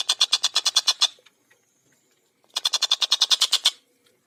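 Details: Collared kingfisher, called tengkek buto, in speed rapat gacor form: two loud chatters of about eleven harsh notes each, roughly a second long, separated by near-silence.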